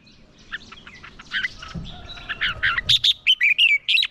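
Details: Red-whiskered bulbul used as a lure, singing a fighting song; soft, muffled warbling at first, then a clearer, louder run of quick whistled chirps and descending slurs in the last second and a half.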